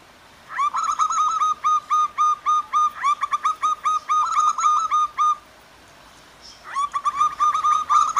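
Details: Wild zebra doves, male and female answering each other, with gentle clear water in the background; bursts of rapid, evenly spaced clear cooing notes, about four per second, pausing briefly before resuming over a soft steady rush.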